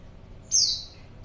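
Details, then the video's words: Female white-eye call used as a lure to draw a male to answer: one loud, high, thin whistle that slides downward, standing alone over quiet background. "pleci betina#buat pancingan pleci jantan"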